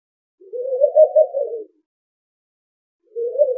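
A Eurasian eagle-owl gives a long, hollow, wavering hoot that swells and fades over about a second, then starts another after a short pause. Nothing else is heard.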